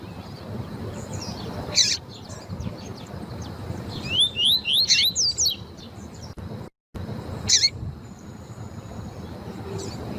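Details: Double-collared seedeater (coleiro tui-tui), a female's calls used to warm up and train male coleiros, giving high, thin chips at about two and five seconds, then a quick run of bright rising whistled notes over a low background hum.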